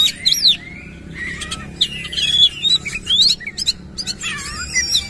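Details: Oriental magpie-robin singing hard with coarse fill-in phrases and open tail: quick upward and downward whistles mixed with rasping bursts, loosely spaced, above a soft low background hum.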